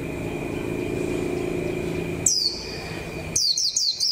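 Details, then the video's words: ['White-eye used as a caged decoy, nearing the 2021 season. After two seconds of low rumbling background noise, a single high falling whistle comes, then a fast string of four thin chirps.'] "khuyên mồi bắt đàu có tí củi lửa để vào mùa năm 2021"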